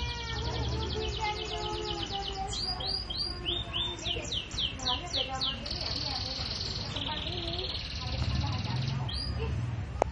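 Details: Canary singing: rapid high trills and repeated sweeping whistled notes, some held as buzzy rolls, with a low hum and murmuring voices underneath throughout.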